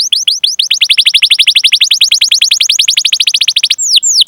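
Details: Canary singing a lure song for other canaries, here a very rapid unbroken roll of downslurred chirps lasting over three seconds, ending in a few slower, wider sweeping notes.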